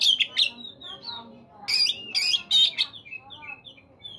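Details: Oriental magpie-robin song played in the morning to prompt caged birds to sing: varied loud whistles, sharp harsh notes and slurred phrases with short pauses.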